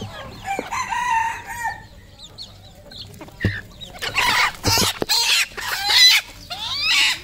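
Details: Red junglefowl used as a local decoy: one long hoarse crow, then a quieter gap. Rapid loud squawking calls and clucks from several birds follow in bursts.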